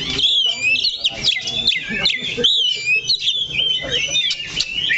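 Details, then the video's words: Oriental magpie-robin holding firm on a single perch spot, pouring out sharp, twisting whistled notes and quick chirps without pause, and faint talk below. "KACER THE LOCO NANCAP 1 TITIK"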